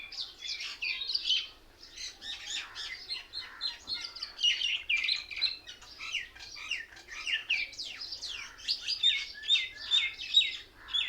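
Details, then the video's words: Noisy gathering of many mynas in one tree: continuous rapid chattering, harsh squeaks and chirps tumbling over each other at a fast pace, described as the birds mimicking others and laughing at each other. "Mayna Birds sounds"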